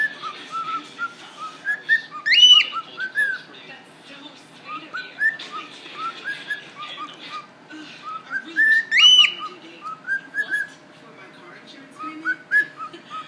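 A cockatiel sings a varied run of rising whistles and chirps, with two louder bright whistled phrases.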